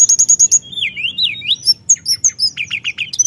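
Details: Sunda whistling thrush singing continuously to provoke other birds: five quick high chips open, followed by looping wavy whistles, scattered bright notes and a closing run of short zigzag phrases.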